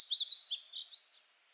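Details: Short fragment of painted bunting song: a few high, slurred warbling notes that fade out within a second.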